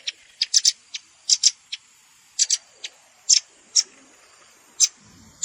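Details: Scattered high, sharp chips, single or in pairs, from a red-billed rambatan lure mix combining adult and juvenile calls, with quiet gaps between.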